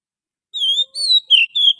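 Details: Forest Oriental magpie-robin lure song: four clear whistles, long level or gently wavering notes with one brief warbled note, a faint low hum underneath.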